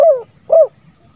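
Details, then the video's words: Spotted dove in the 'lambung kuk 1 suara ngeruk' style, a recording used to prompt silent captive doves to call: two low, slurred coos, each falling at the end, about half a second apart. "Suara Tekukur Terbaru ll Lambung Kuk 1 Suara Ngeruk"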